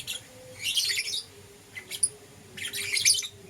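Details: Green opaline and lutino lovebirds kept as pets, calling in the morning with two dense bursts of scratchy high chirps and a brief squeak between, over a steady faint hum.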